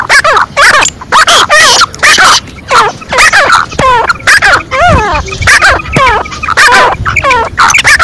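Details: Female black francolin giving a lively, excited call: dense runs of loud, harsh, harmonic notes that sweep up and down, closely packed with short gaps, in an overlapping mix of calls.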